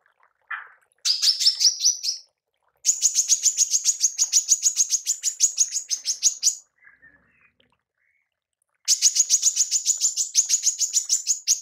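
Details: Female manggar used to master songbirds, calling in three long bursts of rapid, shrill high chirps separated by silent gaps, with a faint soft whistle between bursts.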